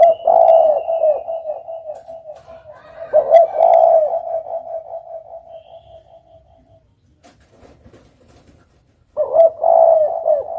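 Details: Spotted dove cooing in low, hollow, rolling phrases that fade out, followed by a few seconds of near silence before another loud coo phrase begins.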